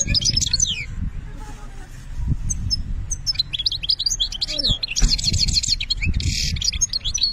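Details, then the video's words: European goldfinch, Algeria, in benna style song: twittering phrases broken by short pauses, then rich buzzy trills and rattles toward the end, with low rumble underneath. "ذوق البنة للحسون"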